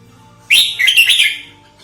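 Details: Single bright, bubbly chattering phrase of a red-whiskered bulbul, a trapping lure and training model, rising sharply then trailing off after about one second.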